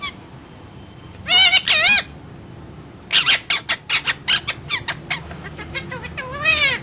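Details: Parrot producing two wavering, warbling squeals, then a fast series of short harsh notes that slowly fade, ending with another wobbling, descending squeal.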